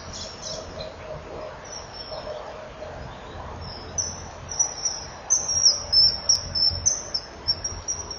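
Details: Female common kingfisher at a nest-wall camera, 9 July 2015 around 09:11, chipping shortly before mating; thin, very high piping notes, faint at first, then stronger and repeated in the second half, over low background hum.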